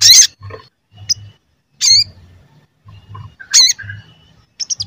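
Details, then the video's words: Crimson sunbird (sogon) calling as a lure to provoke others into singing: sparse, sharp, high chirps with bending 'cuit' notes, roughly one every second and a half, separated by near-silence. "Pancingan Sogon Agar Bunyi dan Emosi"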